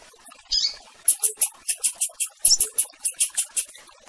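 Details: Chirping of a Rusty-collared seedeater, meant to call the female. One short falling note opens, then about fourteen thin, very high chips come in a brisk, slightly uneven series, with a brief break near the middle.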